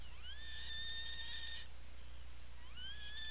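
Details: Afternoon in an Atlantic puffin nesting burrow, Seal Island National Wildlife Refuge, Maine, 17 July 2018: a sustained steady whistled note breaks off, and after a pause a new call sweeps upward, under a steady low background hum.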